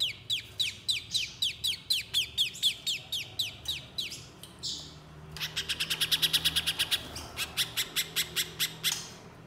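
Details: Little spiderhunter, a lure to coax spiderhunters into singing: a string of high notes sliding downward, a brief hiss, then a dense rapid chatter of sharp high chips, with faint low hum.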